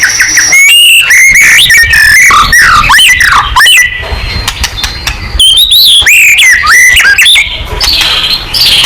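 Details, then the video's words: White-rumped shama in vigorous song, a recording for provoking other birds to respond: long, varied sequences of looping whistles, rising and falling slides and fast chattering trills, delivered loud and almost without pause. "MURAI BATU GACOR|Hanya cukup 5 detik Langsung NYAUT!!"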